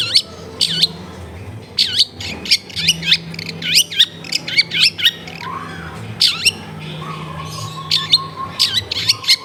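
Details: Long-tailed shrike song meant to coax a silent shrike back into voice, taped at home amid a dense neighbourhood; a steady series of sharp, high sweeping calls about twice a second with brief pauses, a low steady hum underneath.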